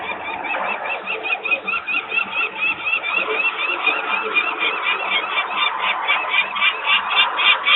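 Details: Adult peregrine falcons screaming while walking around near the nest in Włocławek, Poland, 23 May 2022 at 14:51, reacting to noisy workers; young remain on the landing. Long unbroken series of fast, harsh cackling notes, uneven in loudness.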